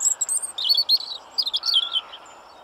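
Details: European robin song: high, thin, warbled phrases that rise and fall rapidly, given in two quick bursts separated by a short pause, with a faint steady tone heard underneath toward the end.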